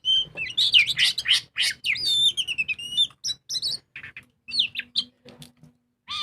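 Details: Oriental magpie-robin in full, lively ngobra song meant to coax birds into singing: fast burst of loud whistled and buzzy notes, then sparser high slurs and chips after a brief lull.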